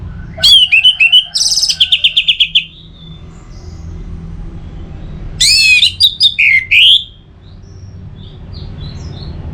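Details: Orange-headed thrush (anis merah) song used to stimulate other thrushes to sing: two bursts of rapid, varied whistled and chattering notes, the second ending in a clear slurred whistle, separated by quiet low background hum.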